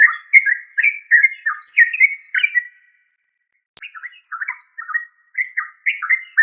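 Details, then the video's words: Yellow-vented bulbul, called trucuk locally, giving bubbly, warbling phrases around the middle pitch range in quick bursts, a brief silence then a sharp click, followed by more rapid chattering notes with faint higher chirps above. "Tropical Bird Calls to Relax Yellow Vanted bulbul trucuk"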